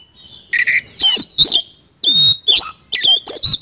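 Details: Energetic 'isian kasan' singing from an Oriental magpie-robin (kacer): a rapid run of loud, clear whistled notes that sweep up and down, cut with harsh, rasping chatter and brief pauses.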